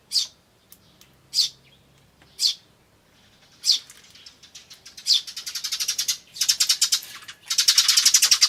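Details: Eurasian tree sparrows, chicks and adults, recorded 10 May 2013: spaced sharp high chirps, then a fast buzzy run of rapid notes building louder toward the end, like a harsh 'jyujyujyu' churr.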